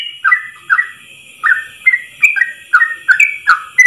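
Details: Yellow-vented bulbul 'ropel' song for training other bulbuls: short whistled notes, each a quick downslur then upslur, coming in pairs and runs with brief gaps, later speeding up.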